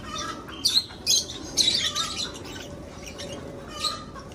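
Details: Lovebirds in an aviary where they breed, giving shrill, scratchy chirps in irregular bursts about once a second, with fainter calls from other birds behind.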